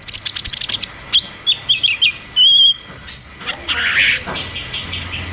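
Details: Ngeroll tembak song of a cucak cungkok, played to coax silent caged birds into singing; opens with a rapid train of high ticks, followed by clear whistled notes, one long steady whistle, and a rougher rising phrase.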